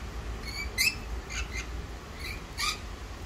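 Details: Wild rainbow lorikeets together in Australia give a series of brief, shrill, grating squawks with ringing overtones, about five bursts spaced irregularly over three seconds, against a steady low hum.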